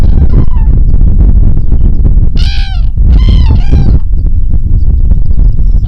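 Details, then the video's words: Cranes on an upland plateau pasture: two short bursts of loud, rolling trumpeting calls about a second apart, over a heavy, steady rumble of wind. "Yaylada Öten Turnalar"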